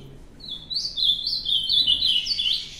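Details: Ultramarine grosbeak, a kept bird, singing a short warbled phrase of clear, slurred whistles that rise and fall, delivered in a quick connected series after a brief opening note, with a quiet background.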